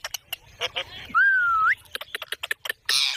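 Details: Parrot giving a single clear, drawn-out whistle that holds level and then turns sharply upward at the end. The whistle is framed by dry clicks and a harsh, noisy burst.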